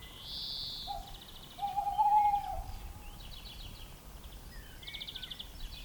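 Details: Tawny owl sitting openly gives a drawn-out, steady low hoot lasting over a second, with a quavering tail. Small birds add high trills and short whistles, and a faint rushing noise runs underneath.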